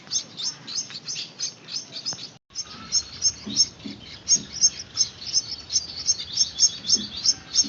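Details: Hand-reared Gouldian finch chicks beg with bright, high chirps in a fast, uneven series, broken by a short gap, then resuming more strongly with light low taps underneath.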